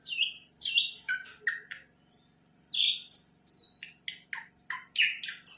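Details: Flycatcher, called sikatan londo, giving a lively song of short, separate notes: high whistles, slurred chirps and brief buzzes spaced about half a second apart, with a quiet hum behind.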